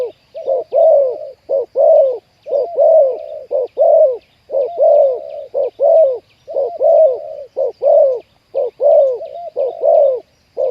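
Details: Decoy-trapping session for spotted doves, including a wild bird with a deep 'khu ang' cooing style. A steady series of low coos runs about once per second for over ten seconds, with soft chirps faintly behind.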